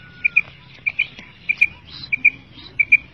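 A Common Quail gives high, clipped two-note calls, each pair quick and chirpy, repeated about every half second over a faint low rumble.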